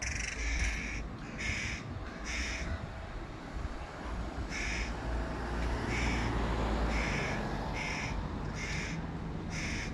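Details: Recently fledged hooded crow, one of three chicks, calls loudly from the tree next to its mother while the father feeds a sibling with fish; repeated harsh, nasal caws in irregular bursts, roughly two per second at times, over constant low rumble.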